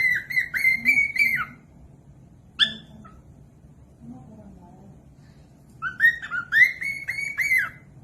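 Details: Cockatiel whistling, meant to teach other cockatiels to sing. A run of level, ringing whistle notes ending in a falling slur opens the recording. A single sharp note follows, then a long quiet stretch, then another phrase of rising and level whistles.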